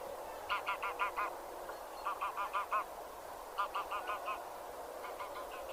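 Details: Geese (genus Anser) honk in quick bursts of about five nasal notes, repeated roughly every one and a half seconds over a steady background hiss.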